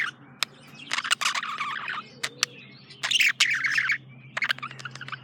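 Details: Male budgerigar chirping in short bursts of scratchy, buzzy notes mixed with sharp clicks, broken by brief pauses, over a steady low hum.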